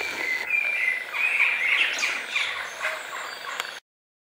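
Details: Young Western jackdaws in a back garden in Weert, the Netherlands, give harsh, overlapping squawky calls, about three a second, with a faint low hum behind them.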